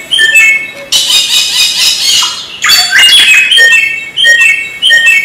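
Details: Samyong singing, recorded as master material for training songbirds: whistled descending phrases broken by a burst of harsh, noisy squawking in the middle, then the clear whistles resume.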